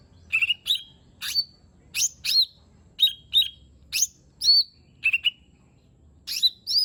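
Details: Lesser green leafbird pouring out fill-in phrases as a lure for a bird unwilling to sing: evenly spaced pairs of sharp downslurred whistles, about two phrases each second.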